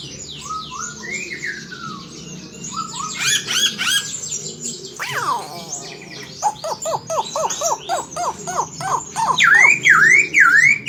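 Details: Chinese hwamei singing energetically, song carrying murai imitations: varied rising whistles and rapid trills, a sharp downward sweep, a run of quick clipped notes, then loud looping dip-and-rise whistles at the end.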